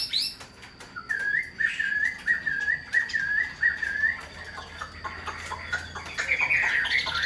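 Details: Tame caged Chinese hwamei in Vietnam repeats a short whistled note in an even series, about twice a second, then breaks into a faster jumble of higher notes, with clicks and a low hum.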